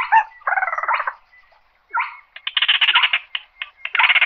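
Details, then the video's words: Slaty-breasted rail call to gather the flock: a nasal grating note and a pulsed buzz, a pause, then quick clicking stutters running into a dense harsh rattle. "Tiếng Chim Gõ Ghẽ Gọi Bầy"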